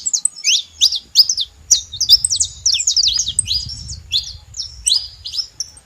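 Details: Sharp, high chirps and slurred notes from a saffron finch in quick, uneven runs, with a low rumble in the background.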